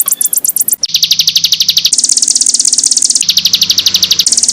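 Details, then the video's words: Canary master song from Indonesia for training other birds: long, very fast, high rolling trills, each held for about a second before switching to a new trill, over a low background hum. "Masteran Kenari"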